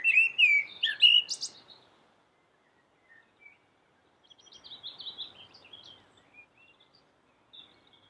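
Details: Common blackbird delivering one loud, rich warbled phrase with a squeaky high flourish, then near silence and a faint run of thin twittering notes.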